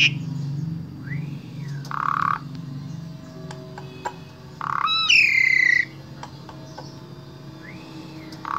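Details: Asian pied starling from Wonosobo, Central Java, kept as a singing tutor for other starlings. Sparse song: arched whistled notes, short buzzy bursts and one bright falling multi-harmonic phrase, with sharp ticks over a steady low hum.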